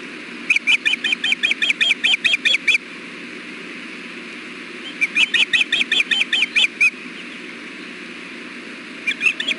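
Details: Ospreys on the Hellgate nest on camera, afternoon of 6.4.16 at 4:00 pm, male delivering fish and offering the female bites. Repeated runs of shrill, rapid whistled chirps, three bursts in all, with constant low rumble behind.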